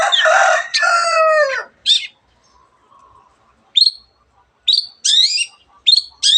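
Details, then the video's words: Long-tailed shrike voicing a mimicked repertoire that includes canary and many other birds. Two long, harsh, descending rasps open the passage, and after a pause come short, sharp, high chips and squeaky slurred notes. "cendet gacor nembak nembak rapat isian kenari dan banyak jenis burung yang masuk masteran"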